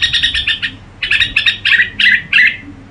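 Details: Red-whiskered bulbul singing gù: a short fast chatter, a pause, then six separate, fuller notes, each slurring downward, spaced about a third of a second apart.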